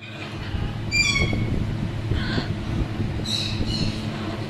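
An African grey parrot chick gives three short, harsh, rasping squawks, the first sliding slightly downward, over a steady deep mechanical rumble.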